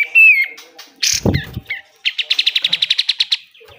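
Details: Pied triller besetan song used to train caged birds: a loud sliding whistle, a rough noisy burst with a low thud, short chips, then a fast even train of about fifteen buzzy pulses.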